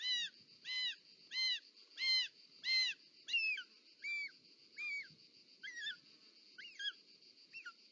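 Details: Short-toed snake eagle at the nest, Parc Natural dels Ports, Catalonia, 18 July 2024, mother bringing a snake: loud, regular arched whistles with strong overtones, then gradually softer, more wavering notes, about twelve in all, over a steady hum.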